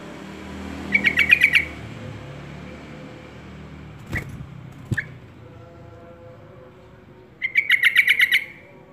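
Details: Yellow-vented bulbul singing diligently: two short bursts of rapid, evenly pulsed bright notes about six seconds apart, with a pair of sharp clicks between them and a low background hum.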